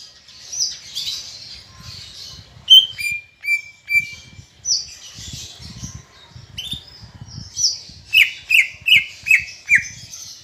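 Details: Greater green leafbird, caged and in full song, for prompting other leafbirds: a varied high warble with level whistled notes, then a rapid series of about six descending whistles near the end.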